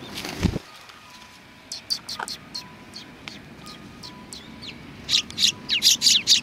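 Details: Sparrows coming to be fed at a Tenmangū shrine on 25 November 2020; a dull thump opens, then sparse faint chirps, and a run of louder, bright chirps near the end.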